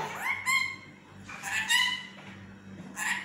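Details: A drowsy pet parrot mumbling in its sleep, wanting a nap: a rising harmonic note, then grating voiced bursts about every second and a half, over a faint room hum.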